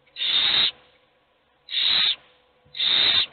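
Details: All the owl chicks are hungry but only one eats; three long, noisy hisses, each over half a second, repeated roughly every second and a quarter.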